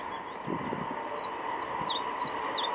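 A common chiffchaff sings seven high, clipped notes, about three per second, with a steady low hum in the background.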